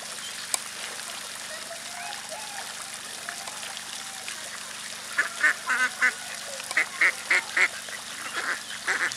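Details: Two mallards in a park in Sint Pancras, Netherlands, on 24 April 2011; one gives a quick run of about a dozen short, nasal quacks, several per second, after faint bird notes and background hum.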